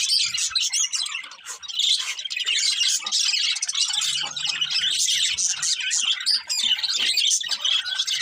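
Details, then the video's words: Budgerigar breeding pair of colourful birds chattering steadily: rapid, overlapping high chirps and twittering warbles fill every second, with a brief dip in volume near the start. "Colourful Budgies Chirping Sounds"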